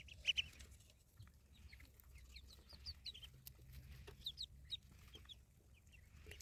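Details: Ducklings on a village farm, a scatter of thin high peeps, one louder double peep at the start, then softer overlapping calls against a quiet low hum.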